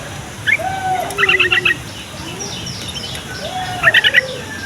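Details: Song of a yellow-vented bulbul, played to get young bulbuls to answer and to lure wild ones closer. Two quick bubbly bursts of chirping notes about two and a half seconds apart, with soft lower whistled calls between them.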